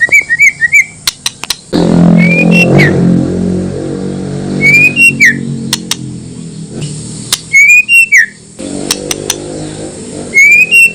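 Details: White-rumped shama song used as a lure to provoke other shamas into answering: clear rising whistles ending in quick downslurs, sharp clicks between phrases, and a low droning hum through the middle.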